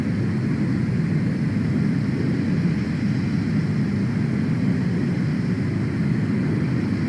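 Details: Loud, continuous low engine rumble like a passing aircraft or vehicle drowns the scene, with no animal calls audible.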